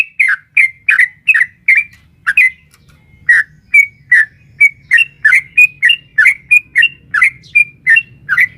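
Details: Sooty-headed bulbul, a female calling the male, in a lively long-rapid 'ropel panjang' bout used to provoke caged birds: about twenty short, bright chirped notes in quick succession, a brief pause near three seconds, then steady repetition; faint low hum beneath.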